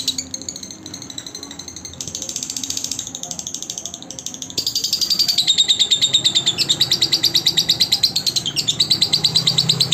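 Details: Lovebird song in a training recording for other lovebirds: quieter, scratchy twittering at first, then a loud burst of rapid, high, rhythmic chattering notes; a low human voice is faintly audible.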